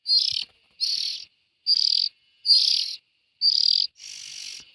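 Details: Fledgling bulbuls producing rough, hissing, buzzy bursts, each under a second, about six in a row with brief silent gaps and the last one softer.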